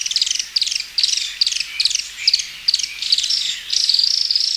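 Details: Thorn-tailed rayadito (Aphrastura spinicauda) song in the cold forest of Ñanco coastal protected area, Valdivia, Chile: high, scratchy chattering bursts about twice a second, ending in a long dry rattling trill.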